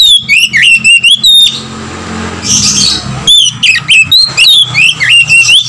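An Oriental magpie-robin gives fast runs of clear, varied whistles that swoop up and down, broken by a short harsh rasp, over a faint low hum.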